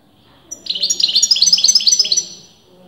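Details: Singing European goldfinch whose sex breeders disagree about: after a quiet second, a fast two-second run of high tinkling, rhythmic twitters with a buzzy edge, then silence again.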